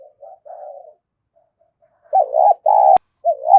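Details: Decoy spotted dove cooing to lure others: soft coos, a pause, then loud, throaty, undulating coo notes broken by a sharp click.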